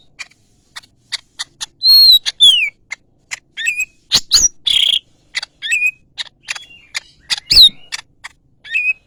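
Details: Greater green leafbird singing clear whistled notes, some sliding downward, mixed with sharp ticks and short buzzy phrases in an irregular sequence.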